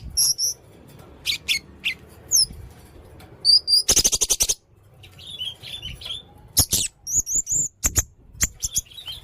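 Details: Very active song of a red-necked blue-crowned hanging parrot: high thin chirps and slurred notes alternating with bursts of rapid sharp clicking.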